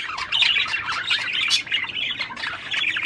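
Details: Continuous scratchy chatter of a budgerigar singing to encourage the female to mate, rapid squeaky notes running together without pause.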